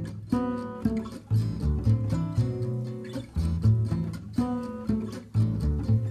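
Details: Strummed acoustic guitar chords, repeated in a rhythmic pattern, and no animal voice.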